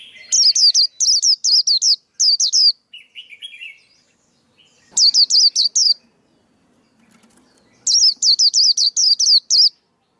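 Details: Male white-eye singing, a recording used to train young birds and lure birds into traps: three bursts of rapid, high, twisting whistled notes, each note rising then falling. A softer buzzy phrase fills the gap between the first two bursts.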